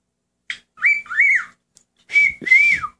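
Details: Indoor pet cockatiel, a male, singing with its owner urging it on: a quick chirp, then two pairs of clear whistled phrases, each swelling upward and gliding down, with a slight breathy edge.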